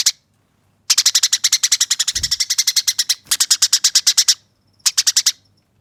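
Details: Eurasian tree sparrow in fighting mode, used as training audio, rolling and scratchy, harsh yet clear: long rapid bursts of sharp buzzy chirps, many per second, in three runs separated by short silences.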